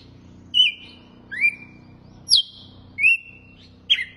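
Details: Açoite-style song of a red-cowled cardinal: five bright, whistled notes roughly every three-quarters of a second, alternating falling and rising slurs, each ending in a drawn-out tone. A faint low hum sits in the background.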